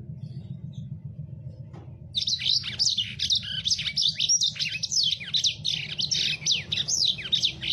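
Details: Low rumbling background for two seconds, then a lemon-breasted canary bursts into fast, harsh song used to tutor captive birds. Rapid repeated downslurred chirps and buzzy twitters continue to the end over the rumble.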